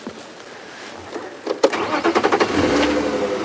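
A vehicle engine turns over and starts, with rapid mechanical pulses and no animal voice.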